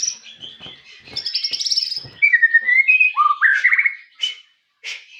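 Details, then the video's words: Song of a white-rumped shama, opening with a high whistle and a fast buzzy trill, then falling slurred whistles in a lower register, with short high notes set apart near the end. "MURAI TAMBAH NGOTOT DENGAR SUARA ASLI INI"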